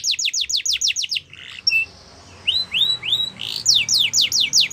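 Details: Yorkshire canary singing, meant for canary training: a rapid series of repeated downslurred notes, a short pause, three rising whistles, then the fast repeated slurs resume.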